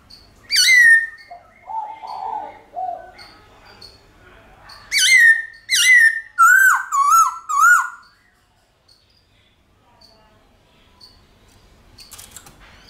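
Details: Forest-style song of a White-cheeked laughingthrush, played to stimulate pet birds to sing: a bright whistled note, a lower warbled run, then a burst of six loud quavering whistles before the recording falls quiet.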